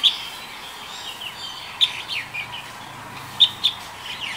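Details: Light-vented Bulbul recorded live during the pandemic in February 2021: short, sharp, high notes given singly and in a quick pair, spaced irregularly, over a soft wash of distant bird chatter.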